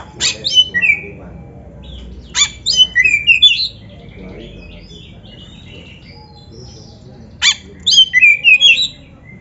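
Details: Oriental magpie-robin song used to train kept birds: three bursts of sharp rising and falling whistled notes in quick series, separated by several seconds of quiet.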